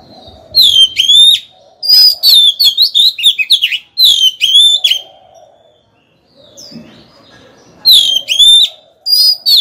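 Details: A decoy Oriental magpie-robin sings loudly to lure wild rivals and stimulate males: repeated rich whistled phrases that swoop down, intricate warbles, a long quiet gap, then more bright whistled notes.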